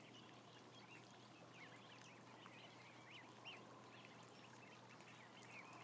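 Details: Ducklings, about 1,000, chirp in a steady overlapping mass of short high peeps, a few louder rising notes standing out, with background murmur and hum.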